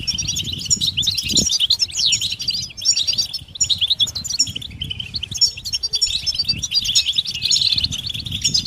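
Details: Chorus of European goldfinches, mating and readiness calls to excite males into song; crowded high chirps, slurred whistles and trills overlap constantly, with a brief low knock near 1.4 seconds.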